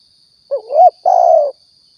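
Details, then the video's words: Single spotted dove phrase from a Riau, Indonesia lure recording for hunting and trapping: a wavering looped coo rising at the end, then a sustained slightly falling croo of about half a second, with a faint high hum. "suara tekukur balam"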